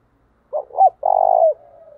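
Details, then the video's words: Spotted dove decoy voicing the 'chìm' coo used in daily training of doves: two short hoarse notes, a sustained level coo, then a thin fading tail of sound. "tiếng chìm cu gáy mồi thúc bổi, luyện cu gáy mỗi ngày"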